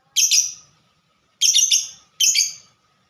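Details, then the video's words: Fighter lovebird with typing-style ngetik song, here making three rough, grating chatter bursts, each about half a second long and made of rapid stuttered notes. "Burung Lovebird Suara Ngetik Dan Sama² Fighter"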